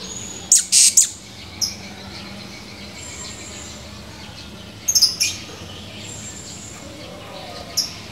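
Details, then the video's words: High, piercing chirps of a male Blue-crowned hanging parrot, recorded 17 July 2020, coming in brief doublets and triplets with single isolated notes between long pauses, low background hum throughout. "Burung Serindit gacor, tinggal kenangan // Serindit birds chirping, only memories"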